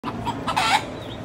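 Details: Rooster waiting for food gives a few quick soft clucks, then a loud, harsh, rising squawk lasting a fraction of a second.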